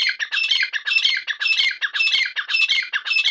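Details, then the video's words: Grey francolin, called Irani dakni teetar, giving a loud, harsh, grating call: rapid squawking notes strung together in an unbroken series, about two per second, with no other sounds. "Irani dakni teetar ki awaz"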